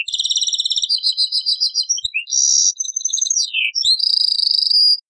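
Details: Old cassette recording of a European goldfinch singing: rapid high buzzy trills and twitters, a few liquid downward slurs, and a long ringing, jingling phrase at the end.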